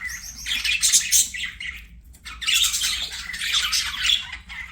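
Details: Playing budgerigars in song: two long stretches of grating, chattering warble full of rapid squeaks and buzzes, split by a short pause in the middle.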